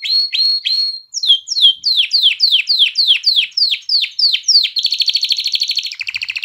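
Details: Canary song for exciting females to mate and urging chicks to sing: several sliding whistles, then a run of about ten repeated downward-sweeping notes, followed by fast buzzy trills.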